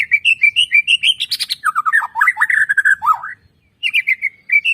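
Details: Lure recording of white-rumped shama song to set birds singing: rapid repeated high whistles and a buzzy burst, flowing into a tumbling, lower chattering warble, a short pause, then the bright whistles return.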